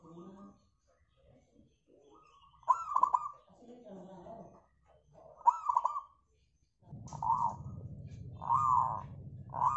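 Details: Local zebra dove singing, used as a lure to make other birds sing: soft cooing phrases of quick, bubbling notes recur several times, with murmuring voices early on and a low rumbling background later.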